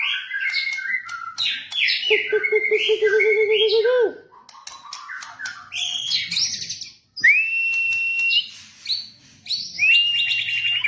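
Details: White-rumped shama used as a training model for caged birds: quick chattering phrases, a fast bubbling trill rising at the end, then several clear level whistles followed by buzzy high notes.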